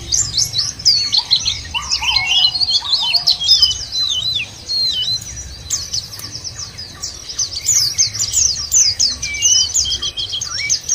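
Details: White-eyes in a nature-therapy lure track meant to set captive birds singing; dense, rapid high twittering from several overlapping birds, with slower lower whistled phrases from another bird in the first seconds and a faint low hum beneath.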